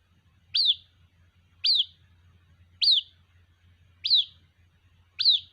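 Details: White-breasted waterhen chick calling its mother: a high, sharp chirp that rises then slides down, repeated about once a second, five times, with a faint low hum beneath.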